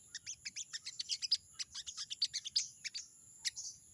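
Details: Crested jay, or sogon, summoning an opponent with crisp, high chirps in quick uneven bursts, some sliding down. A constant thin whine lies beneath.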